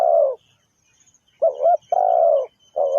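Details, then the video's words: Spotted dove, a lure bird for trapping, cooing loudly: a long burry coo, then a short doubled note and another long falling coo in quick succession, with a thin insect hiss in the background. "The Sound Of Spotted Dove is so good"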